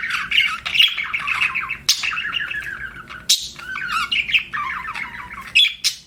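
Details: Budgerigar kept as a pet, chirping in long runs of rippling, buzzy warble, cut by brief sharp clicks, then more wavering chatter and squeaks.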